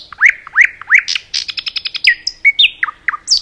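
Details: Nightingale song in a forest: three loud rising whistles, a fast even trill of sharp notes, then varied slurred whistles and chirps.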